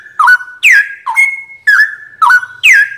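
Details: Straw-headed bulbul (cucak rowo) masteran training recording, said to be very loud: loud whistled phrases sliding down then levelling, each opening with a sharp click, about two per second, with one long steady note mid-clip.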